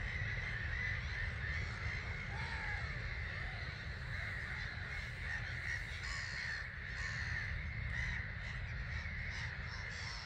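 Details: Roughly a quarter of a million starlings departing their roost at dawn, 05:45, 21 March 2022, Gibraltar Point NNR hide; thick unbroken chattering roar from the flock, a few sharper squeaks and whistles poking through, with low rumbling background.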